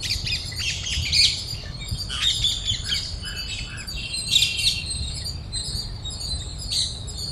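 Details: Flock of parrots feeding in Cubbon Park, Bangalore, Karnataka, chatters with harsh, buzzy squawks and chirps rising and falling in irregular bursts, many birds overlapping, with steady low background noise.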